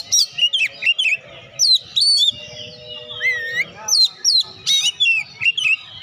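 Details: Vigorous Oriental magpie-robin song for rousing lazy birds to sing: sharp chirps and looping whistled notes in quick clusters, a longer swooping whistle midway, faint low hum behind.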